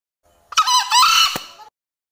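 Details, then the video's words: Male green junglefowl giving a short, hoarse crow of about one second. A rough first burst is followed by a louder, strained, buzzy second part that fades out. No other sounds stand out. "Suara ayam hutan jantan || Green junglefowl"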